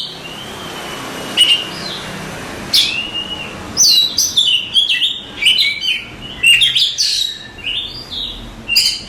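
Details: Oriental magpie-robin, a contest-champion singer, delivering varied song: long clear whistles near the start, then rapid sharp chirps and slurred notes in quick bursts, high-pitched throughout with a faint steady background hiss.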